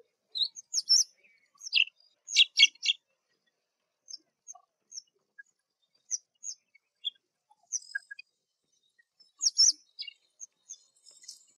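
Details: High, metallic chirps from a black drongo in spring, opening with a rapid run of harsh, buzzy stacked notes, then sparser single tweets and another short, scratchy burst near the end.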